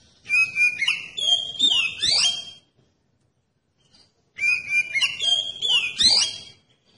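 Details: Oriental magpie-robin song for provoking other magpie-robins to sing: the same rich phrase of level whistles, rising sweeps and sharp falling slides given twice, separated by nearly two seconds of silence.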